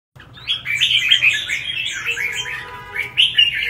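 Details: Red-whiskered bulbul in competition singing: a fast, dense run of bright warbled and chirping notes, clustered and sliding, with short louder flourishes near the start and again toward the end, delivered almost without pause.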